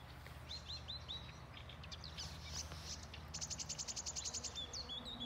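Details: Marsh warbler singing from bushes at Älvkröken on the Ljungan river, Njurunda, on 14 June 2021, with a fieldfare joining in with chattering. High, varied chirps and short slurred notes, then a fast run of repeated ticking notes, over a steady low hum.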